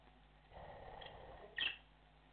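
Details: A cockatiel gives one sharp, bright chirp over a soft background murmur; the call is a mating or flock call, given while the pair mates after choosing a breeding box, disturbed by budgies and lovebirds.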